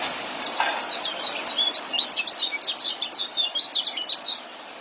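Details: Young white-eye giving a ngeriwik and joss song meant for training caged birds: a continuous, rapid twitter of high, bright, slurred chirps, roughly four per second, for about four seconds against a light steady hiss.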